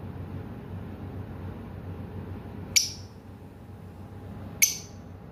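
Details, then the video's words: A lovebird gives two sharp, shrill chirps about two seconds apart over a low indoor hum. "Love Bird chirping"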